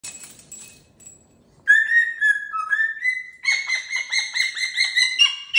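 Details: Pet cockatoo playing with new jingly toys on its cage. After a faint muffled start, a clear whistled note appears, then a quick run of repeated chattering whistles, steady and bright, with no other sounds.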